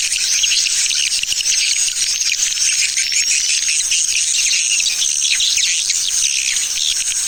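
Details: Lure sound for swiftlets, the Tarik Permata type: steady, dense high-pitched twittering with fine rising and falling whistle lines threading through it.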